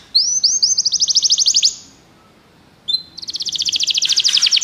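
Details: Pet-canary stimulation song: a fast trill of repeated upswept notes, a pause of about a second, then another rapid rolling trill at a similar high pitch.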